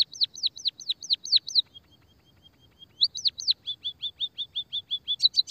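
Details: White-headed munia, a lure and therapy recording to stimulate quiet munias to sing: fast high chirps, then swooping downward notes, a thin level whistle, and more rapid chirp series ending in bright ticks.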